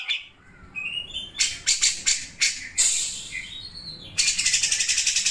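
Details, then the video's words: Grey-cheeked bulbul (cucak jenggot) singing in the sharp besetan style likened to a sewing machine: a few clear whistled notes, then loud harsh scratchy bursts, ending in a fast machine-like rattle of repeated buzzy pulses. "CUCAK JENGGOT GACOR MBESET SUARA MESIN JAHIT"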